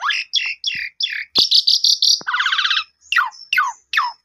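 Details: Asian pied starling singing, a recording meant to spur a newly purchased, silent bird into song. Harsh, repeated down-slurred notes lead into a grating rattle and a double-toned buzz, then more quick descending whistles.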